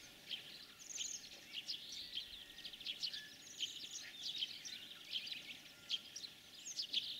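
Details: Spring song of a European greenfinch in the breeding season: continuous high twittering of quick chirps and short rattling trills with scattered buzzy notes, all fairly faint against a soft, constant background hiss.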